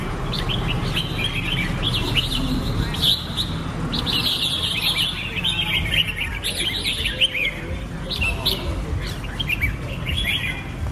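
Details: Continuous lively chattering and warbling from a red-whiskered bulbul, dense slurred notes tumbling one after another, with faint distant rumble in the background.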